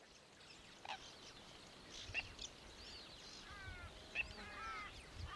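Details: Zebra finches in Australia give short nasal, toy-trumpet calls, a few in quick succession over a steady hiss.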